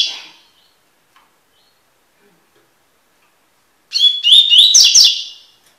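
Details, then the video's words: Tui tui style song of a double-collared seedeater (Sporophila caerulescens), recorded for encarte song tutoring. The tail of a previous phrase fades, then a long silence, then a sharp, high phrase of rising whistled notes closing in a buzzy flourish. "coleiro tui tui cantando (encarte)"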